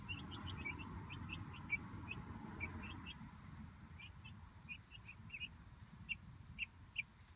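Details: Young Light Brahma chicks, about one month old, exploring their coop-run outdoors; a stream of short high peeps, denser early and spacing out later, with louder single cheeps near the end over low background hum.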